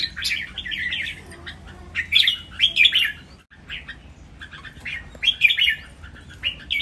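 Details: Three caged red-whiskered bulbuls sing against each other in Thailand, their phrases counted: two separated bursts of sweet, jumbled whistles and chirps, each about a second long, with quiet gaps.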